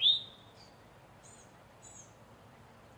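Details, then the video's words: A male Eastern towhee (Pipilo erythrophthalmus) gives an alarm call: one sharp, rising note, followed by a few faint, high, thin notes about every two-thirds of a second. "Eastern towhee call | Alarm / distress / warning sounds"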